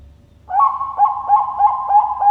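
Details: A Bangkok zebra dove (perkutut) from a bird farm in Sidoarjo, East Java, Indonesia, gives a soft, mellow cooing phrase of quick, stuttering notes, about three per second, at a steady low pitch with no other sounds.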